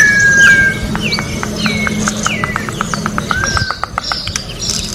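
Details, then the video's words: Orange-backed troupial in nature: clear downslurred whistles at the start, followed by a dry run of rapid ticking notes and a short level whistle, over low background hum. "Corrupião Cantando na Natureza melhor canto pra encarte Corrupião"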